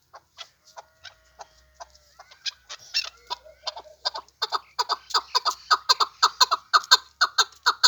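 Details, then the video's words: Chukar partridge, a hunting decoy bird, giving a rapid series of harsh clucking notes that start sparse and build into a dense, regular chatter of about two notes per second. "Кабки Элок"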